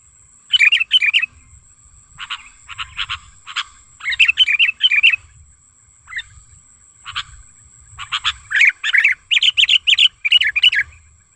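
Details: Lure call of a wild sooty-headed bulbul, used to tutor and attract bulbuls: lively chattering phrases of quick rising and falling notes, some clipped single chips, a faint constant high tone behind.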